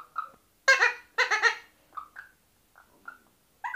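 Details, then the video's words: Hand-tame pet Alexandrine parakeets, a male and a female, talking: three harsh, harmonically rich speech-like bursts in quick succession, followed by short, softer chirps and squeaks with quiet gaps between them. "Hand tame Talking Parrots male and female"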